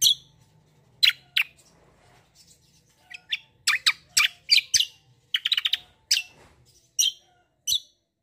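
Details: Black-winged myna in an energetic song bout, delivering sharp broadband chirps in quick irregular groups, including a rapid rattling burst, with a low hum early on.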